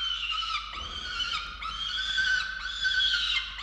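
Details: Falcons at a nest-box camera in Orange, Australia, during feeding of chicks on 13 November 2022; loud, harsh, wailing calls repeated about once a second, strongly harmonic with slurred, falling starts.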